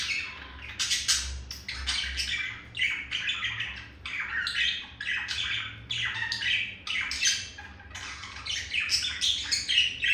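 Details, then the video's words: Courting male budgerigar addressing a female, indoors as a pet: busy scratchy chatter mixing clicks, squawks and higher squeaks, delivered in quick clustered bursts with tiny gaps throughout. "Sound of seduction made by Olive the male budgie for Melody the female budgie"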